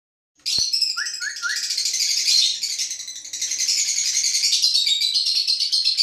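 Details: Lovebirds interacting with each other: dense, shrill, continuous high-pitched chattering and twittering, with a few short rising squeaks near the start.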